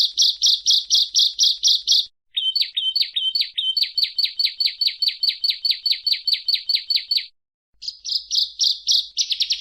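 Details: Bar-winged prinia (Prinia familiaris), known in Java as ciblek or perenjak, used as a master song for songbird keeping: rapid high-pitched chirps in fast trains separated by short pauses, some notes paired into buzzy doublets, no other sounds.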